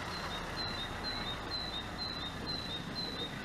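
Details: Great tit song: loud, pure whistled pairs of notes, high then a touch lower, repeated evenly and rapidly for several seconds against a constant hiss of outdoor ambient noise.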